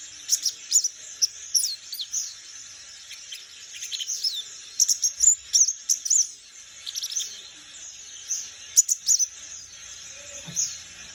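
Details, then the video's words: Forest-dwelling young white-eye, palas Borneo type, learning to twitter in ngeriwik style; bursts of high, quick chirps and squeaky slurs in loose clusters, separated by short quiet gaps. "Pleci palas borneo muda hutan belajar ngeriwik"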